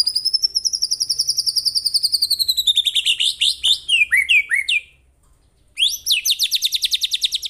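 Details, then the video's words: Fierce 'tembakan' song of a white-rumped shama, recorded from real birds to train others: a long, steady train of high ticking notes that slowly drops in pitch, then tangled whistles, a pause and another rapid repeated series. "MASTERAN MURAI BATU TERFAVORIT KOMPLIT TEMBAKAN SUPER GANAS !!! BURUNG DI JAMIN LANGSUNG NYAHUT."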